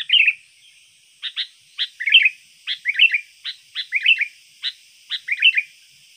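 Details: Lure and tutor song of a sooty-headed bulbul: rapid series of short, bright chirped phrases, sharp single notes alternating with bubbly warbled bursts, repeated about every half second, with a faint high steady hiss behind.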